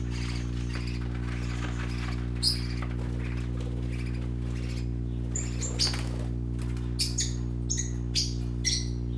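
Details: Young parakeets playing, giving short harsh chirps and squawks in scattered bursts, some in quick runs of three or four near the end, over a steady low electrical hum that lasts throughout.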